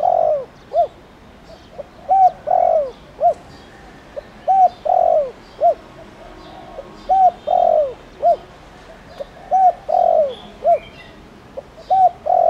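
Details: Spotted dove, a caged lure bird of the 'thổ đồng' voice style, used in Vietnam to call wild doves; repeated three-part cooing phrases, a short coo, a longer drawn-out coo, then a short coo, repeating about every two seconds, faint higher chirps behind.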